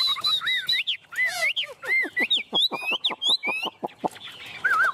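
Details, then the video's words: Tame Chinese hwamei on a hand giving 'ôm cóng' song: arched whistles and swooping phrases mixed with rapid sharp clicks and chattering notes, ending in a soft wavering whistle. "Họa mi ôm cóng cực sung trên tay"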